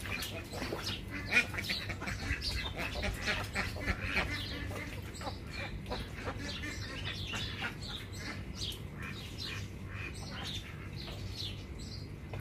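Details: Ducks calling in a busy group, short harsh broadband bursts tumbling over one another almost continuously, with many higher chirping notes mixed in and a steady low rumble underneath.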